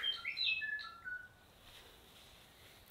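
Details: A New Zealand bellbird sitting just above a mountain rainforest campsite on a sunny morning after overnight rain, flitting around camp: a quick run of clear, bell-like whistled notes at high pitch, lasting about a second before quiet.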